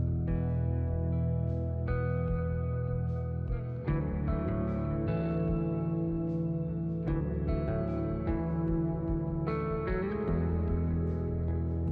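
Only guitar music with echo effects is heard, with no animal sounds.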